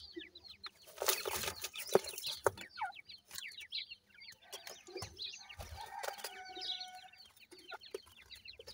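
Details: Many captive grey francolin (teetar) chicks on a Pakistani farm give rapid, thin, descending peeps about twice a second, irregular and overlapping, with a rustling hiss early on and a few lower clucks.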